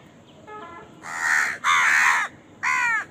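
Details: A crow feeding where crows fight over food: faint soft notes lead into three long, loud, raspy caws, the last one slightly separated.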